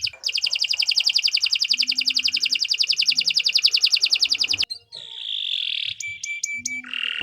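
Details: Canary song for training other birds: a long, very rapid and regular high trill, followed by a drawn-out flat whistle and several short, sharp notes.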